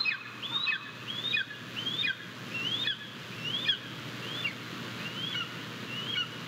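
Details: Japanese golden eagle chick, female, at the nest on 22 May 2023 on a live camera, eating a bird her father delivered; shrill calls rising then falling, about nine in a row roughly every 0.7 seconds, over a steady low hum.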